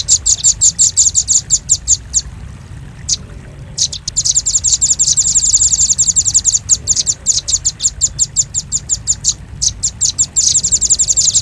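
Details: Velvet-fronted nuthatch lure call for attracting birds: long volleys of rapid, piercing high chips forming trilled chatters, broken by a quiet gap of about two seconds, then resuming even faster.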